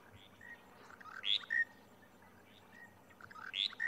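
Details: A Monotonous Lark on 23 January 2020 in Djuma private game reserve, South Africa, repeats a short, bright phrase of rising and falling whistled notes about every two seconds, calling nonstop and falling quiet only in flight; faint background chirps.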